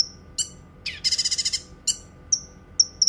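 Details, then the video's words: Cucak kinoi song, a recording offered for training other songbirds and for relaxation: sharp high chirps, a dense buzzy rattle of about six quick pulses, then short whistled down-slurred notes, over faint steady background hum. "Suara Kicauan Burung Cucak Kinoi"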